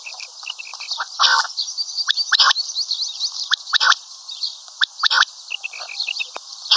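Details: Common quail calling, named locally as karkari and maadi batair; rapid sharp clicks in short bursts mixed with rasping broad notes and soft high chips, over steady hiss.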